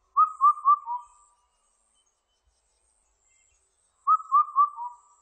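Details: Two phrases of Indian cuckoo song, each made of four clear whistles with the last note pitched lower, separated by nearly three seconds of silence.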